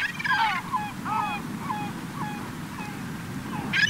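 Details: Late-summer gathering of gulls on a Cotentin beach, 7 September 2024: a run of loud, harsh, descending yelping calls, several birds overlapping, with constant surf roar beneath.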